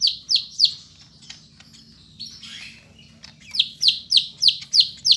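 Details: Medan greater green leafbird recorded in Bandung on Monday 5 September: crisp descending chirps repeated about three per second, a short quieter warble in the middle, faint low hum behind.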